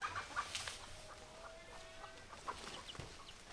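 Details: Chickens at feeding time, roosters and hens together, giving scattered short clucks and a drawn-out tonal call in the middle, with busy background noise throughout.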